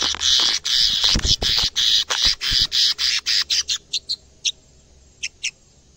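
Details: Caged canary in an actively singing state, reacting on first seeing a camera. A loud, dense, buzzy high song pours out in rapid pulses, then thins to scattered single chirps over the last seconds.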